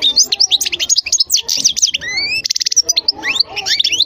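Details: European goldfinch pouring out rapid twittering song: crowded high chirps, a pair of clear rising whistles, a brief buzzy rattle, then more quick tinkling trills to the end.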